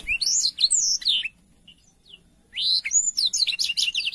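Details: Clear, high whistled chirps from a black-throated canary, falling in quick sweeps, a silent gap of about a second, then a dense flurry of twittering notes.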